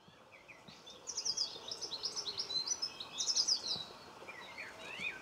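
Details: Common linnet filmed close up in a garden in Cornwall on 26 November 2015; bright twittering chatter of rapid high notes in bursts, with a soft pigeon-like cooing faint underneath.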